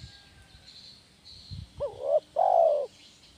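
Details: Spotted dove singing in the gacor "kuk 1" style, used as therapy to train kept doves: a short, low hooting note, then a longer, steady mellow coo, over faint low rumbles and a soft high hiss.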